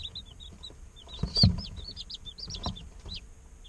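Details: Day-old chicks chirping in an incubator, short high peeps and little rising notes trickling steadily, with low rumbling handling noise and a couple of soft knocks underneath.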